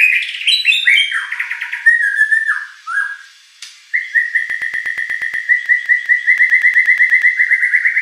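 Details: Shama song played to provoke a contest bird into replying: varied whistled phrases sliding downward, a short pause, then a long, even, rapid trill of repeated notes that holds a steady pitch.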